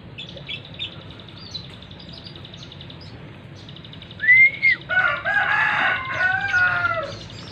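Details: Tame captive hill prinia: a sharp upslurred whistle, then a few seconds of harsh, nasal calls, all over a steady high insect drone.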